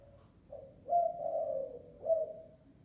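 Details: Spotted dove lure call: soft low cooing, a short coo then a longer drawn-out coo and another short coo, in a quiet room.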